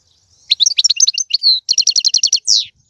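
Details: Algerian-style goldfinch song (tiwawati, galoubi, serfati): varied twitters, a sustained whistle, a regular series of about eight identical sharp notes and a closing downslurred note.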